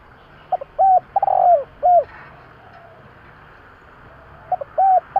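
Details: Spotted dove cooing, a call used to stir a decoy dove. Soft short notes lead into a drawn-out falling coo and a clipped end note, and the phrase starts again after a pause of nearly three seconds.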